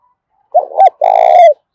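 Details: Spotted dove giving an intense contest call in the 'thổ pha đồng bổi' voice style: a short wavering double note, a brief pause, then a long, even, buzzy coo that dips slightly at the end. The setting is quiet and no other sounds are heard.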